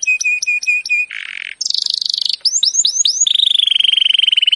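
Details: A canary (Serinus canaria) gives a training song to prompt other canaries to sing: five ringing notes, a buzzy burst, a high trill, falling whistled sweeps, then a fast rolling trill.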